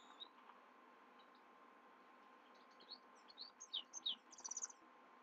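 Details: At night a Himalayan goldfinch starts quietly, then builds into a rapid twittering song of sharp high chirps and a short buzzy trill near the end, over steady low hum.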